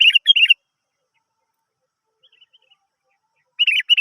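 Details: Sooty-headed bulbul, as a lure to stir other birds to sing, delivers quick warbling whistled phrases at the start and end, separated by about three seconds of near silence.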